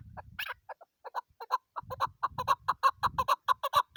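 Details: Female chukar partridge calling: a fast run of short clucking chuck notes, about two per second, growing louder and more regular, with low rustling noises between.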